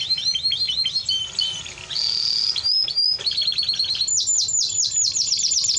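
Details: Song of a Timbrado Español canary, a domestic breed: quick falling chips, a sustained buzzy passage, a brief pause, then a fast high rattle of repeated downward-sweeping notes.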